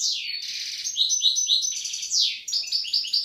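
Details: Loud, close European goldfinch song from a pair in Algeria, 2016: rapid jangling twitters, sweeping slurred notes and buzzy trills running without a break.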